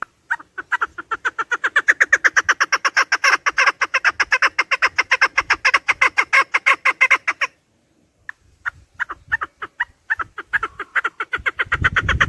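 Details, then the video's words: Chukar partridge calling, recorded for hunting: a long, rapid series of rasping chuk notes for over seven seconds, a brief pause, then the clucking resumes and builds again. "Овози кабк кеклик калик пение каклик"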